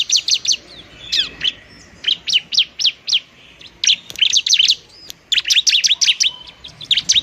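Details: Bar-winged prinia in fighting song, used to lure and spur lazy birds to sing: rapid bursts of sharp high chirps repeated in quick series, separated by short silent gaps, with a few faint clicks.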